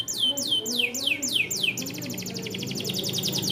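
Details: Small standard AF canary singing as a tutor for young canaries. Several high, sweeping whistles each slide downward, then give way to a fast, even, rattling trill. A faint low hum lies beneath.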